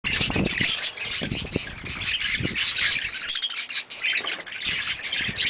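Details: Pet budgerigars chatter in a dense, scratchy warble of chirps and squawks.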